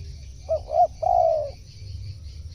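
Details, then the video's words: Mellow coo phrase of a spotted dove, a sound used for calling in wild birds: a quick pair of short hooting notes, then a sustained falling coo about half a second long, with a faint low rumble beneath. "suara tekukur cocok memanggil burung luar"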